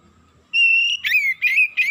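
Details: Oriental magpie-robin (kacer) turning excited within seconds and pouring out its isian, the learned fill-in song material. After a faint low hum, a loud sustained pure whistle gives way to three bursts of warbled, bending whistled notes with rapid flourishes.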